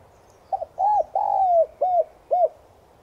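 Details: Spotted dove (Streptopelia chinensis tigrina) lure bird cooing in the morning in 'Son' voice. It gives a single five-part phrase: a brief doubled note, an arched coo, an extended descending coo, and two clipped arched coos to finish.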